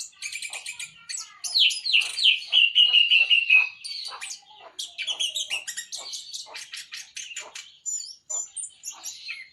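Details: Caged orange-headed thrush in full song: rapid ticking and chattering notes at about three per second, a loud run of descending slurred whistles in the middle, then quieter scratchy chatter and thin squeaks.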